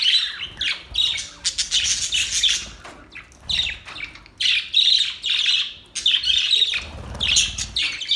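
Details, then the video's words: Budgerigars singing as a mating call: loud, continuous warbling chatter in rhythmic bursts about every second, mixing buzzy notes and bright chirps with brief pauses between phrases. "Budgies birds singing"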